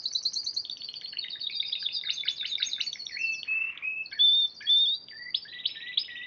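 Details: Song of a Spanish Timbrado canary, a champion in March 2014: dense high trills, a lower rattle, then loud clear whistled notes and sweeping slurs.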